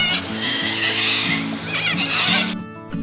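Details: Little Corellas at Forest Lake, recorded 22 December 2021, giving harsh, grating screeches in bursts as they fly over, several birds overlapping, with steady background music throughout.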